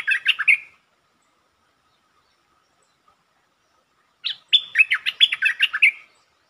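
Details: Long doubled song of a streak-eared bulbul used as a lure sound, dated 13 February 2023: a warbled phrase ends, silence follows, then an extended run of fast, bubbly, rising and falling notes.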